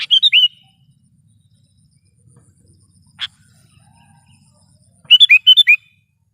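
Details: Lively Sooty-headed bulbul, used as a lure call for trapping and as a tutor sound: two bright, bubbly four-note warbled phrases, one at the start and one near the end, separated by a single harsh clipped note and near silence.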